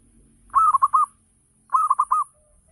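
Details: Local zebra dove (perkutut lokal, Javanese dove) singing as a lure to prompt other doves to answer: two phrases of rapid, rolling cooing notes, each about half a second long, separated by a pause; otherwise quiet.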